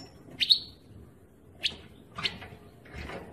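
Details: European goldfinch singing: three separate bright chirps, the first sliding down into a short buzzy tail, spaced about a second apart over a faint low background hum.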